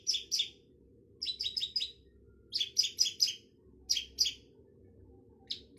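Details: Paired and clustered scratchy chirps from a long-tailed shrike, separated by brief silences, with a persistent low droning noise in the background.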